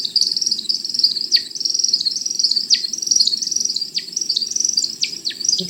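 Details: Male American Woodcock in courtship display flight, dropping from the sky in a zigzag descent: rapid, continuous high twittering of liquid chirps, broken every second or so by sharp downward-slurred whistles, over a faint low hum.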